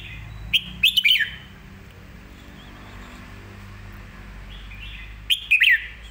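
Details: Red-whiskered bulbul master song for teaching young birds: two short bursts of bright, quick, warbling whistled notes about five seconds apart, over a steady low background rumble.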